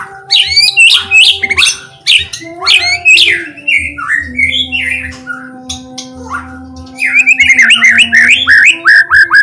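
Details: White-rumped shama song played to provoke other shamas into singing: loud bursts of sharp high notes, then softer, lower slurred whistles, and a closing run of quick chirps, with a constant low drone behind.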